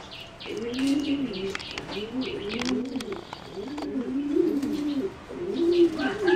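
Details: Bred singing zebra doves for competition, kept in a flight aviary on 30 April 2014, a line selected from a wild mutation; soft rolling coos arch up and down in repeated phrases about once a second, with high chirps from other small birds overhead.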